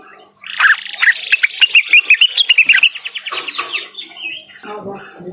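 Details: Blue-winged Leafbird calling a rival with an accelerating series of clear, bouncing whistled notes, followed by lower, rougher chattering sounds.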